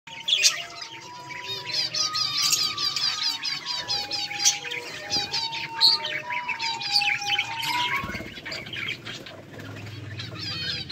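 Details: Colony of budgerigars chirping and playing, recorded 24 July 2023: busy overlapping high warbling chatter with scattered sharp chirps throughout, plus wing flapping and a low background hum.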